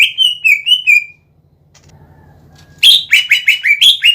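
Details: Greater green leafbird singing gacor to stir other leafbirds into song: a run of clear slurred whistles, a brief pause over low hum, then a fast series of loud repeated whistled notes.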